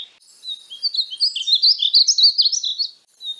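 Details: Painted bunting giving one continuous rising warble of quick, sweet high notes lasting about three seconds.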